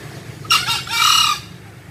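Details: Rasping two-part crow of a green junglefowl: a sharp short start, a brief gap, and an extended hoarse tail.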